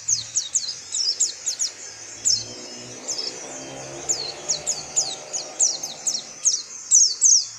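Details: Oriental white-eye, a small yellowish bird with a white eye-ring from tropical Asia, repeating high, thin, downward-sliding chips at a quick uneven pace over faint low hum.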